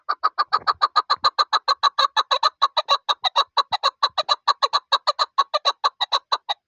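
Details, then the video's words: Chukar partridge, a hunting bird, giving a long, steady run of sharp clucking chuk notes, about two to three per second, every note alike and evenly spaced, with no other sounds. "Mast shikari chakor sounds"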